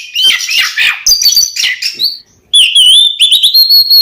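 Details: Oriental magpie-robin lure song for caged birds: a burst of rough, chattering notes, then after a short gap a long, wavering whistled tone with quick high chips layered over it.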